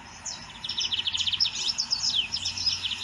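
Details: Lined seedeater singing in nature: a continuous, fast buzzy trill of closely repeated notes with sharp high accents throughout, loud and sustained.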